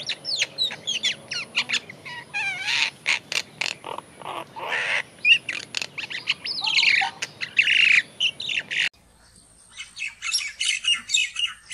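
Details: Myna (great or common myna) calling in the morning in Thailand: a busy run of harsh squawks, gurgles and sharp whistles in quick succession, then a brief break into lighter, thinner chattering.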